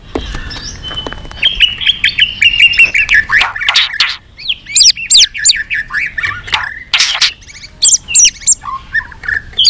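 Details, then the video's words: White-rumped shama giving a fighting song, singing with many voices while flicking its tail: a long flat whistle, then a fast jumble of varied chirps, squawks and sharp slurred whistled notes that jump between high and low pitches. "kích chòe lửa hót đấu"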